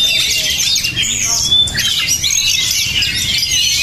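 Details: An Oriental magpie-robin (Copsychus saularis) in high excitement sings a dense, nonstop stream of high, scratchy chirps and sharp whistled notes, varied and rapid throughout.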